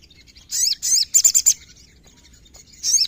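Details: Sooty-headed bulbul song: two warbled, slurring high phrases, then a rapid burst of five sharp repeated notes, a quiet pause, and one more chirped phrase closing the stretch.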